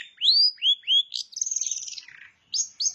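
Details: Long-tailed shrike mimicking bar-winged prinia: three clear upward-sweeping whistles, then a scratchy buzzing trill that falls away, ending with two short sharp high notes.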